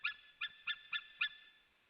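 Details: A white-tailed eagle gives five short, harsh yelping notes at uneven intervals of about a third of a second, heard as strange noises at a nest in Latvia on 17 July 2017 around 17:54, as the female arrives and the male lands nearby.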